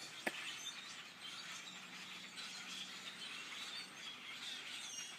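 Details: A tree full of grackles keeps up a steady wash of high creaking and squealing notes from many birds, after a sharp click at the start and a faint low hum in the background.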